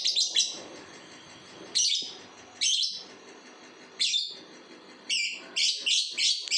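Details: Two-month-old lovebird already singing the long ngekek trill: rough, high chattering bursts, each about half a second long, repeated every second or so and speeding up into quick consecutive bursts at the end.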